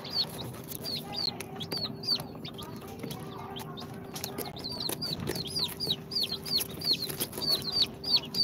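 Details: Chicks two days out of the incubator, Sultan, Golden Sebright, Cochin and booted breeds, peeping rapidly, about three shrill falling notes per second, growing louder toward the end, with a low steady hum beneath.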